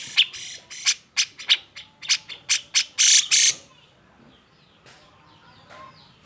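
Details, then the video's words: Agitated cucak jenggot song meant to goad silent birds into singing, with quick repeated sharp chirps building into loud harsh rasping bursts before fading into quiet background. "Gunakan Suara Jenggot EMOSI ini untuk MEMANCING CJ yang MALES BUNYI"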